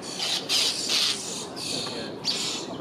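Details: A common starling scolding carrion crows and a magpie near its nest in a boathouse roof, while its mate feeds the young, gives harsh, rasping high squawks in four or five bursts over three seconds; faint human voice behind.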